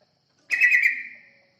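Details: Song of a yellow-vented bulbul played to lure other birds, heard as one brief liquid, gurgling phrase of a few run-together notes that fades away over half a second.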